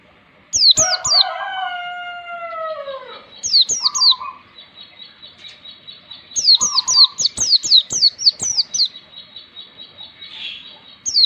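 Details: Oriental white-eye song played to train young caught birds to sing in the wild style. Bursts of very high, quick twittering notes alternate with long drawn, falling lower tones and short buzzy notes, separated by pauses.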